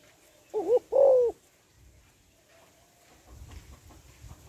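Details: A female spotted dove calls to stimulate males in the gáy gọi, thúc, gù style. A single soft phrase of two quick coos and a longer, rounder coo is followed by a faint whistle and low rustling noise.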